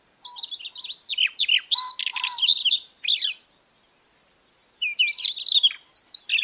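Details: Song of a Siberian rubythroat, used to attract birds into traps: a long run of varied chirps and slurred notes with low soft tones, a two-second pause, then a shorter warbled burst, over a thin steady whine.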